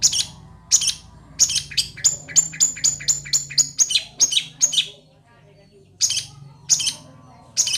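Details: Long-tailed shrike in aggressive song: a rapid series of piercing, very high clipped notes, about three per second, then a short silence and a few more spaced sharp notes.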